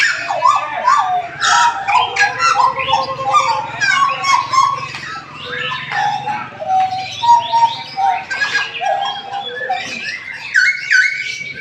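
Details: Caged butcherbird singing at a hanging-cage bird contest in Jayapura, Papua: loud, varied song of clear whistles and warbled phrases, notes leaping up and down in quick succession, over a steady low hum.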